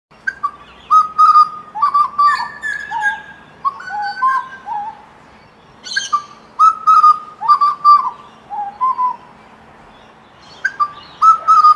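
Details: An Australian butcherbird (grey or pied butcherbird, genus Cracticus) gives rich, fluting whistles, short phrases sliding up and down, some in quick pairs, with sharper chattering notes between and a faint low hum beneath.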